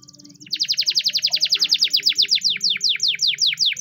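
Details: Singing Timbrado canary in a training song, a soft quick trill swelling into a strong series of sharp downslurred notes, slowing from about six to three per second, with a low steady hum beneath.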